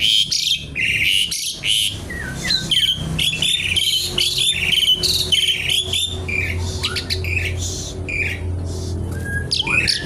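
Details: Javan pied starling singing in the kretekan nggaruda style, a dense stream of harsh chattering bursts, rattles and short whistles packed closely over ten seconds, with a low steady hum underneath.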